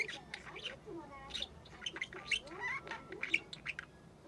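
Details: Young female budgerigar, six months old, practising calls and speech: continuous rapid chatter of scratchy chirps, short whistled notes and soft mumbled warbling, with no pauses.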